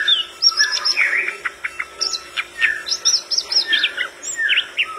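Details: Flycatcher in full song with other birds chiming in: dense, jumbled chirps and short whistles, rising and falling, with high squeaky notes overlapping throughout.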